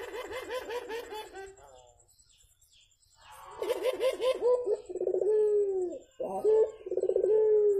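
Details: Javan turtle dove in the morning: a fast series of wavering, bouncing notes, a pause, then more rippled notes giving way to long mellow descending coos, one clipped note, and a final trilled coo.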